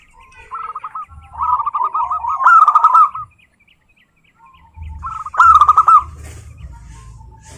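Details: Local wild zebra dove song, used as a lure to set other zebra doves singing: two bursts of rapid, rolling staccato cooing notes, the first longer and building, the second short, with a gap between and faint low rumble.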